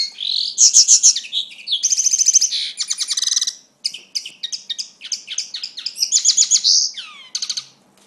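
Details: Common linnet (Linaria cannabina) in Torrefarrera singing a fast, varied twittering song of bright chirps, nasal buzzes and quick rattling trills, delivered almost without pause; no other sounds.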